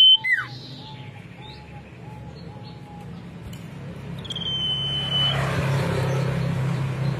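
Common iora song: a quick falling slur, a run of soft low piping notes about every half second, then one long high drawn-out whistle, over steady hum and hiss.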